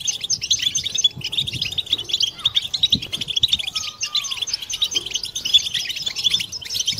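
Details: Many European goldfinches twittering together, a group song aimed at stimulating mating song: dense, glittering chirps and trills fill the clip evenly, with one faint sliding whistle partway through.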